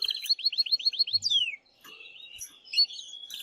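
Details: Excited male canary song to arouse the female for mating, opening with a string of about eight quick rising swept notes, a falling slur, then quieter warbling twitter.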